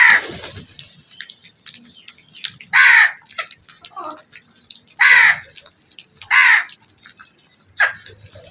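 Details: Black crow cawing: harsh, loud caws repeated at irregular intervals, about four strong calls with fainter chatter and other bird sounds between them.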